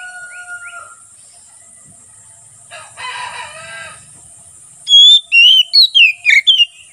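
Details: Oriental magpie-robin singing in ngeplong style, used for training caged birds and luring wild magpie-robins in forest; faint rooster-like crowing and murmurs precede a loud phrase of six clear, slurred whistles near the end.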